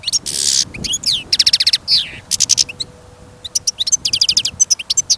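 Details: European goldfinch, a caged bird taken along on a trapping outing in fresh snow and wind, sings confidently: a buzzy rasp, rapid ringing trills, slurred rising notes, then a long run of quick bright chips.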